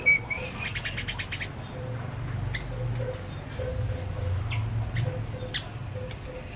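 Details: Tame male yellow-vented bulbul singing actively and continuously: a quick burst of bright chirping notes at the start, then scattered short sharp chirps over a steady low hum.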